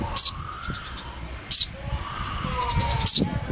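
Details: Young Eurasian tree sparrow perched on a person's palm, giving loud, very high, sharp chirps, three in all about one and a half seconds apart, with faint background murmur.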